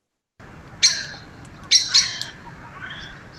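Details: Common Blackbird diagnostic alarm call: sharp, high chinking notes building in a crescendo, a single burst then a quick double, often heard at roost, UK.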